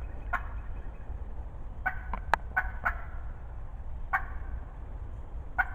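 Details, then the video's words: Wild turkey hen, loud and talkative at close range in spring 2020, giving scattered raspy yelps, some in quick doubles, over a low continuous rumble. "Close talkative Hen turkey spring 2020 season"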